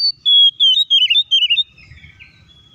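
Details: Oriental magpie-robin song used to provoke other magpie-robins into singing: a string of clear whistled notes stepping gently downward, ending with softer scratchy notes over a faint low rumble.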